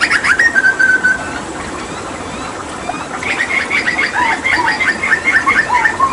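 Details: Hooded butcherbird during water therapy: a long steady whistle, a pause, then a rapid chattering series of short whistled notes with lower slurred whistles mixed in.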